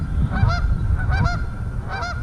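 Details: Canada geese give three loud, nasal honks, each a quick two-part note under a second apart, over steady low wind rumble, at a pond preserve park with a boardwalk where red-winged blackbirds and little water birds are also present.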